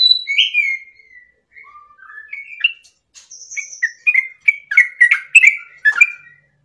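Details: Sooty-headed bulbul song used to tutor and prompt caged birds. It opens with slurred whistles, some falling and some rising, separated by short gaps, then builds into quick, emphatic chirping notes toward the end.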